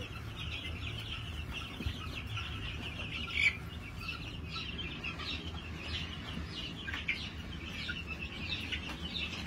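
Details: New Hampshire chickens at a farm, 22 March 2021: scattered high chirps and short peeping notes repeat irregularly, with one louder sharp note near the middle, over a soft low hum.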